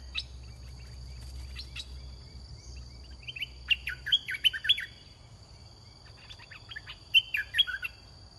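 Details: Red-whiskered bulbul kept in a cage as a lure for wild birds, giving two rapid groups of bright, bubbly chirps and slurred whistles. A constant high-pitched tone and a low hum sit in the background.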